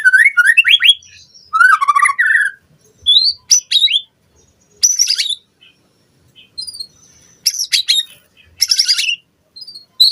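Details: White-rumped shama song meant to coax captive shamas into singing varied repertoires. Bright rising whistles and buzzy chatter come in separate bursts, spaced by pauses of a second or more, each phrase differing from the last.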